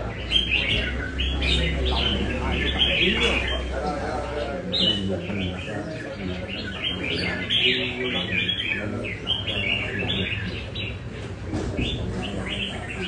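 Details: Nam Đông red-whiskered bulbul on a café trial in Đà Nẵng keeps up a steady stream of short chirped and whistled phrases, several per second, amid café chatter and a low hum.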